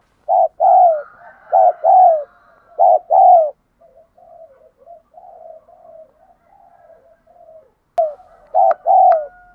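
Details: Spotted dove's urging coo, played for training decoy birds: three loud paired coos, a stretch of quiet, muffled cooing, then another loud pair after a sharp click.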